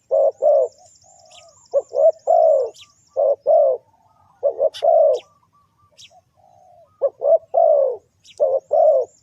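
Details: Spotted dove luring call aimed at wild birds: a steady run of deep cooing phrases, quick paired notes followed by a longer coo, over light high twittering and occasional clicks.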